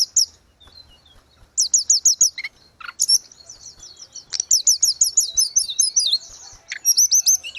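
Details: Grey-cheeked bulbul singing gacor, recorded as training audio for caged birds. After a quiet start, bursts of rapid, high, evenly repeated ringing notes with a few lower slurred calls, continuing in fast chattering phrases.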